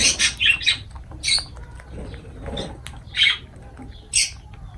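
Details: Lovebird calls while feeding: piercing, scratchy squawks come in quick clusters, with a pause in the middle and then single loud shrieks near three and four seconds.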